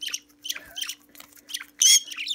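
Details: A playful pet parakeet, going on four years old, gives a string of short, harsh, scratchy squawks about twice a second while using a finger for morning exercise, ending in a louder burst, over a faint steady hum.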